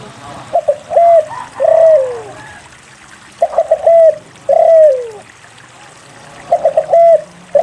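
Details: Lure song of a spotted dove for coaxing quiet birds to sing. Repeated phrases of stuttering short coos ending in a long falling note come roughly every three seconds. A low background hum is present.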